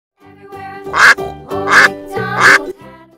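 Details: Farm duck quacking three times in a steady rhythm, each call loud and nasal, then a soft trailing note, with cheerful children's music playing underneath.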